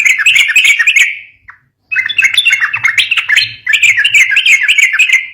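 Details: Lively sooty-headed bulbul song for coaxing young birds into singing, three long runs of fast chattering warbles with scratchy accents, separated by short gaps, a faint low hum beneath.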